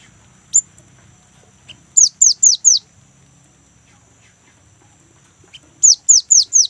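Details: Young great tit singing actively, used as a lure to get kept great tits to sing. High, thin downward-sweeping notes come in quick runs of four, with a lone note before the first run and a faint low rumble underneath.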